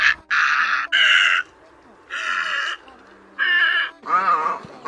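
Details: Great egret voice used in Vietnam to lure birds into night nets in August 2024: a run of loud, grating, nasal squawks of uneven length, with the last one rougher and wavering.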